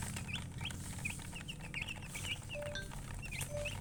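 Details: Chicken chirping from colour chickens: separate sharp, high chirps rising then dipping, about three to four per second, with a few thin whistled notes and a steady low hum beneath.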